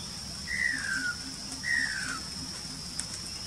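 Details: A greater racket-tailed drongo with only one tail racket left, at Cha-am, Thailand, gives two clear, down-slurred whistles about a second apart over a steady high insect drone and low hum.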